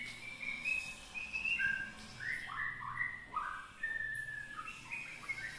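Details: Young oriental magpie-robin just beginning to sing: a loose run of short whistled and slurred notes, some rising, some falling, given in uneven bursts with brief pauses, over a soft background hiss.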